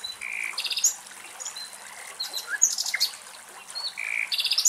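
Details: Common nightingale (Luscinia megarhynchos) singing in Greek nature, in varied bursts: pure high whistles, rapid rattling trills and sharp chirps, changing phrase every second or so, with faint songbirds behind.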